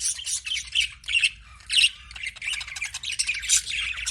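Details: Pet budgerigars chirping: a dense, continuous stream of high, scratchy chirps and squawky warbles with short louder bursts, the birds chattering almost without pause.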